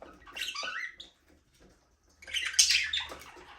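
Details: Budgerigars flying and playing in a small aviary give a sliding warble, fall silent for about a second, then break into a dense, scratchy chatter.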